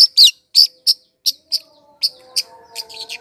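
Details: Lure song of a long-tailed shrike for pulling in wild birds: separate sharp, high, slurred chirps spaced irregularly, then quicker broken notes as faint low whistles rise in the background.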